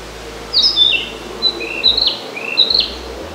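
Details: Wild Narcissus flycatcher singing on a countryside walk in northern Harima, Hyogo Prefecture, Japan: clear whistled phrases of high slurred notes, stepping up and down, repeated about every second, fairly close and loud over soft background hiss.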